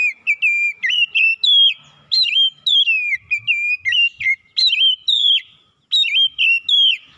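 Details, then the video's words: Morning song of an Oriental magpie-robin: a steady stream of loud, clear whistled notes, each sliding and dipping, delivered in quick repeated phrases with only one short pause near the end. "KICAUAN KACER INDAH DI PAGI HARI"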